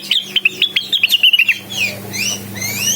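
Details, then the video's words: Blue-winged Leafbird singing to challenge a rival: a quick burst of sharp, slurred chirps lasting about one and a half seconds, then faint sweeping whistles over a low hum. "suara burung cucak Wilis / gacor memanggil lawan"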